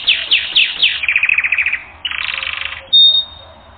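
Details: Canary training song: four loud descending chirps, a fast run of repeated notes, a sustained buzzy roll, then a clear high whistled note at the end.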